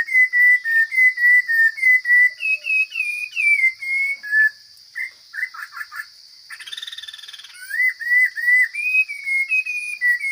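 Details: Forest-dwelling Chinese hwamei in strong, fine voice, delivering loud repeated whistled phrases. Midway the song breaks into a brief pause and a burst of harsh buzzy notes, then resumes whistling. An unbroken high drone is audible throughout.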